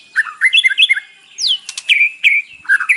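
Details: Captive white-rumped shama singing in the morning to set off another bird: bouncing whistled notes, a falling sweep, then buzzy and chattering phrases in quick succession.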